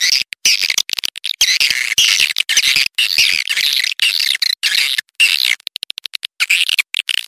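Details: Calls for luring swiftlets: continuous rasping, chittering twitter with many rapid breaks, steady and loud throughout.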